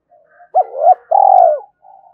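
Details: Spotted dove calling in the 'two-ending' style meant to stir wild doves to reply: one hooked coo, then a long, throbbing, pulsed coo that falls away at the end. The setting is quiet.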